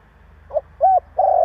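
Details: Spotted dove calling to provoke other doves: a short low coo, a longer level hooting note, then a sustained rolling coo cut off at the end, all mid-low pitched over faint background hum.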